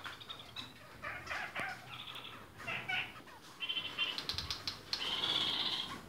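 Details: Several colour varieties of captive red-crowned parakeet chatter with rapid, irregular nasal notes that build into a dense, scratchy run near the end.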